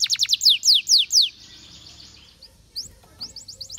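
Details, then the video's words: Canary gives a burst of fast descending whistles and a few slower downslurred notes, then a faint drawn-out tone and scattered chirps over low background hum. "Canary Singing Bird Sounds"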